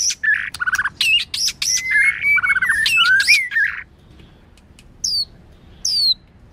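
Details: A white-rumped shama sings, including a female singing to stimulate males. A fast run of sharp chips and varied warbled notes leads into long sliding whistles, then silence broken by two brief high downslurred notes.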